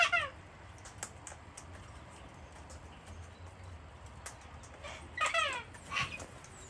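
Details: Flock of wild cockatoos at an Australian house deck, hand-fed on a cold wet winter day; harsh descending screeches open and close the stretch, with a few clicks and soft rustling in between.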